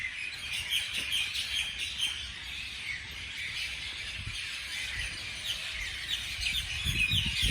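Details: Morning birdsong from several birds: dense, overlapping high chirps and twitters that run steadily throughout, with a low rumble of background noise underneath.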